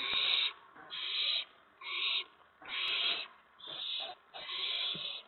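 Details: Owl family at a nest, evening of April 19, 2017, with the adults delivering food to the owlets; six strong, rasping hiss-screeches come at about one per second, each roughly half a second long, with a single sharp click.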